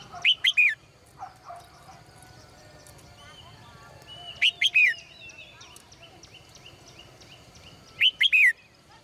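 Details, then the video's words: Caged female bird singing in the morning: short bursts of three or four bright, sharply falling chirped notes, repeated about every four seconds, with softer twittering and faint whistles between bursts over a low steady hum. "นกตัวเมียร้องเจื้อยแจ้วในยามเช้า , เสียงนกร้องในกรง"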